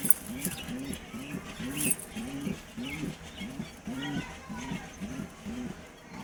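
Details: A newly paired couple of pigeons in a colony coo in a steady run of low, rounded notes, about two each second, with faint higher chirps of other small birds behind.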